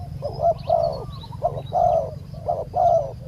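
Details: Cooing spotted dove, part of luring a wild bird with a decoy: three mellow phrases, each a brief introductory note and a longer, throaty coo, evenly spaced over low continuous hum.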